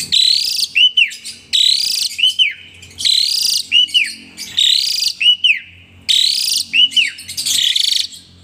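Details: A singing Asian pied starling repeats the same phrase about five times, a harsh buzzy burst ending in a clear arched whistle, with each phrase lasting roughly a second and a half.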